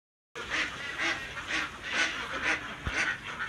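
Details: Farm ducks gathered at shared nests during egg laying, giving harsh nasal quacks repeated about twice a second in a steady, slightly uneven rhythm, several birds overlapping, with one brief low thump partway through.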